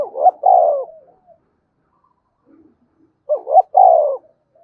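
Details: Two spotted dove coo phrases, sung in the Vietnamese 'gáy thúc' and 'gáy gọi' styles. Each is a quick two-note stutter followed by a long, rich coo that trails off, separated by nearly two seconds of quiet.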